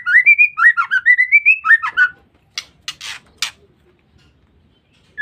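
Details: Female white-rumped shama call used to lure or provoke males: a fast two-second run of rising and falling whistled chirps, followed by quiet with a few sharp harsh rasps.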